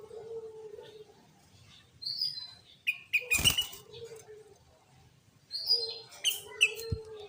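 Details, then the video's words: Sooty-headed bulbul lure song meant to rouse other bulbuls into singing: clusters of sharp high chirps and a rising whistle, with lower steady tones between, and a loud flapping or rustling burst midway. "Pancingan Burung Kutilang Gacor Full Tembakan"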